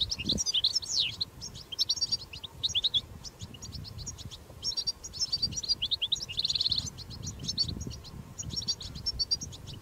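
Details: Wild goldfinch recorded outdoors giving powerful 'batbata' chatter used to stimulate caged goldfinches: fast liquid twitters and sharp chirps, two brief buzzy notes, one near the start and one near the middle, and soft low noise beneath.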